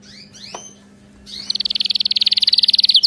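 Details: Canary song for training: two faint rising whistles and a click, then a loud, rapid, even trill of repeated high notes running to the end.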